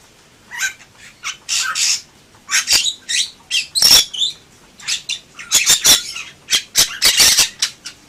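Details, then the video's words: Bali myna (Leucopsar rothschildi) singing actively: loud, raspy squawks and chattering bursts, several per second in uneven runs, with one brief high whistle mixed in. "Suara Burung Jalak Bali Gacor"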